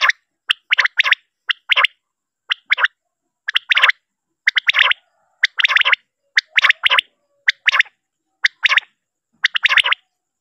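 A male common quail gives sharp, liquid notes in quick groups of two or three, repeated about once a second over silence.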